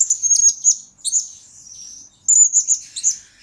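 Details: Blue-crowned hanging parrot, a lure and master recording for training: rapid high squeaky chirps, a short sustained thin whistle, then another quick burst of shrill notes.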